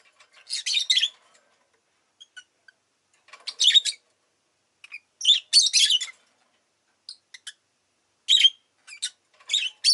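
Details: Pet rosy-faced lovebird calling in bursts of shrill, raspy chirps, several clustered groups roughly every two seconds, with faint clicks and short squeaks in the gaps.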